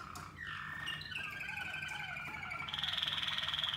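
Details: Waterslager canary song while birds are paired for training: a falling whistle and smooth descending glides, then a fast, even rolling trill repeated about four times a second.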